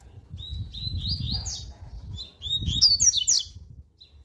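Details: A Double-collared Seedeater gives a strong, fast "tui tui" warm-up song: two quick phrases of high, bright warbled notes rising into sharp, sweet chips, over a low background rumble.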